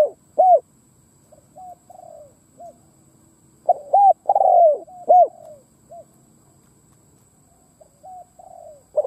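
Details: Ground decoy spotted dove cooing to entice wild doves. Raspy coo phrases with a prolonged falling note alternate with soft murmured calls, the pattern repeating about every four seconds.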